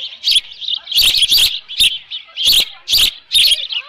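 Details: Nesting osprey at Dunrovin Ranch, 13 June 2018, around 11:37 AM with leftover fish; piercing high chirps come singly and in pairs at irregular intervals, over a low background hiss.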